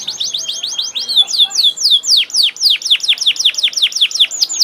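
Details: Canary singing loudly: a fast series of repeated downward-sweeping whistled notes, first quick and clustered, then slower, stronger swoops repeated about four times a second, bright and high throughout, no other sounds evident.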